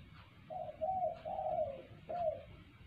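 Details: Spotted dove giving its clear call used to lure other birds: soft coos, two short notes, a long drawn coo and a short final note, against a constant hissing background.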